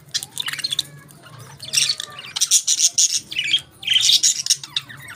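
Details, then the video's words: Budgerigars feeding on their favourite food give busy, harsh squawking chatter in clustered bursts, rasping notes mixed with quick chirps, a short lull near three seconds. "Budgies Enjoy Their Favorite Food"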